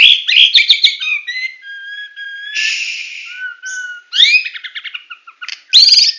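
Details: Medan-type white-rumped shama singing tembakan: chattering start, then long thin steady whistles and a soft falling note, ending with sharp rising whistled bursts.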